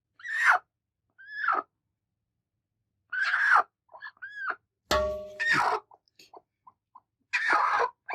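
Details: Two very angry broody hens attacking: harsh, raspy squawks and short rising screeches in uneven bursts, a sudden thump or scuffle partway through, and a few soft clucks between.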